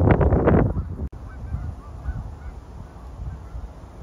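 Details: Low-flying geese scatter for cover in high winds over a park. A short burst of several harsh honks is followed by a sharp click and then steady, roaring wind.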